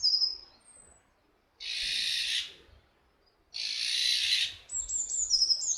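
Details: Iberian Eurasian jay (Garrulus glandarius fasciatus) at Camorritos, Cercedilla, near Madrid, gives two harsh, rasping screeches about two seconds apart; thin high chirps from small birds at start and end.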